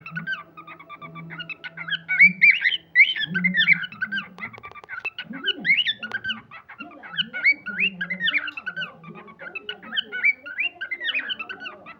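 A cockatiel chirps busily, with rapid shrill notes and warbling twitters running almost without pause.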